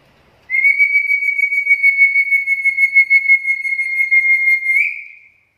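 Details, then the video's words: Black-capped lory in a chatty training and lure recording. One long, high, steady whistle with a fast trilling flutter lasts about four and a half seconds and ends with a slight upward lift. "PANCINGAN DAN MASTERAN BURUNG NURI KEPALA HITAM GACOR"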